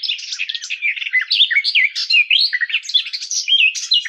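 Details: Garden warbler song, a fast continuous warble of varied, mellow chattering notes and short slurred whistles running without pause, clean with no background sounds.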